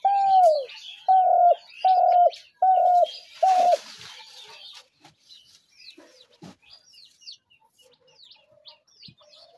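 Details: Repeated long cooing notes of a spotted dove, played to lure doves into traps, ending in a brief noisy burst, followed by scattered chirps of small birds.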